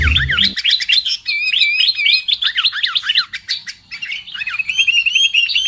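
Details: Lure call of the sooty-headed bulbul for bird trapping: a dull low thump opens, then dense, lively, looping whistled notes sweep up and down, tumbling rapidly over one another.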